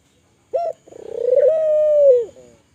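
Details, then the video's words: Spotted dove of the Kelantan type, calling vigorously, used as a lure to get other doves calling: one short coo, a brief pause, then a long rolling purred coo that swells, holds steady and drops at the end. "Suara burung TEKUKUR gacor, merangsang burung Tekukur agar bunyi, burung tekukur kelantan gacor."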